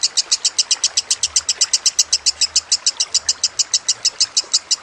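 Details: Kusumo lovebird chattering with trickling water behind, a training recording: a long, regular string of bright, high, sharp notes at about five per second, unbroken from start to finish.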